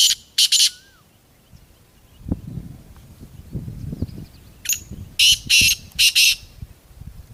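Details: Black francolin giving rough, scratchy calls: a short two-note burst at the start, then a four-note grating phrase near the end, with a faint thin whistle and low rumbling noise between.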